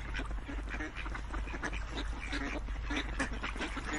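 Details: Ducks quacking in a busy, overlapping group, the calls short and gravelly and blending into a steady wash of sound over a strong low rumble.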